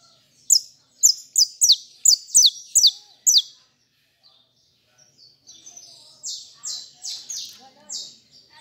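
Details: A kept saffron finch delivers a rapid burst of about ten loud, falling, whistled notes, pauses, then continues with softer, level, buzzy phrases repeated evenly.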